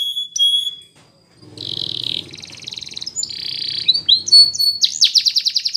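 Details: Canary song for training: pure whistled notes, a pause, then soft buzzy rolling phrases over a low background hum, finishing in a loud, fast, high trill.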